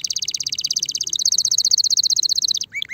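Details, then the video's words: Spanish Timbrado canary ready for mating delivers a long rapid rattling trill of sharp repeated notes, ending with a pair of short rising whistles. "غناء طائر الكناري تمبرادو جاهز لتزاوج صوت الكناري"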